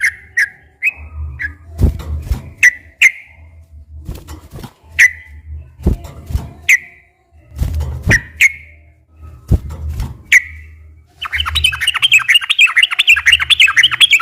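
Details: Sooty-headed bulbul, recorded as a lure to stir captive birds into singing: spaced whistled notes with swooping tails, mixed with dull knocks and low rumbling, ending in a fast, dense chattering burst.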